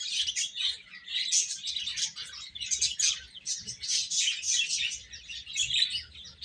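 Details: Baby chicks eating, their shrill chirps pouring out in a thick, shifting chorus, swelling and easing every second or so.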